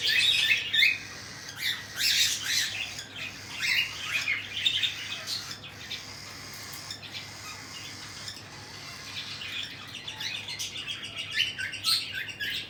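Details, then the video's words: Cockatiel chicks fed by their parents; bursts of raspy begging squawks at the start, a quieter stretch, then renewed scratchy chattering toward the end. "Cocktail Parrot Feeding Their Chicks"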